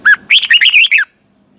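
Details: Red-whiskered bulbul with a loud, close morning training song in the double twisting style: a short opening whistle, then a run of five fluid, rising and falling notes, all within about one second.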